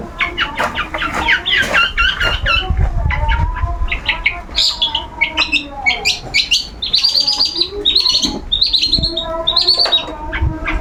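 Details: A long-tailed shrike, a kept bird out for its regular sunbathing, pours out a long, varied song of chattering notes, whistles and buzzy high phrases, with some low background noise.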